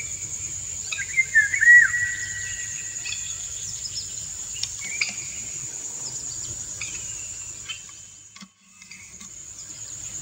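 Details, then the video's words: Male Indian golden oriole singing courtship song while the female dances: one clear, loud whistled phrase that slides downward early on, followed by faint scattered notes against a constant shrill insect hum. "Indian Golden Oriole - An Uncut Courtship Session"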